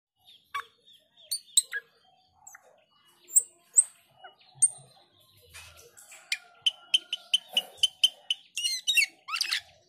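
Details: Male black-winged starling singing a varied sequence: scattered sharp whistles and harsh chips, then a rapid run of bright, evenly spaced clicking notes and rasping calls near the end.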